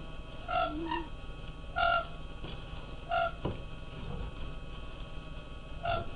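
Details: Siberian cranes in the Oka Biosphere Reserve, at night, give short, clear, flute-like notes, single or in quick pairs, about five calls in six seconds over a low steady hum.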